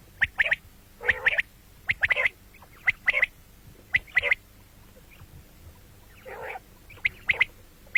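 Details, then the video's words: Common quail, morning and night: a steady series of sharp, high triple-note bursts with one rasping buzzy note near the end, on a quiet background. "batair ki awaz quil sound beautiful morning and night بٹیروں کی سپیشل زبردست آواز صبح رات"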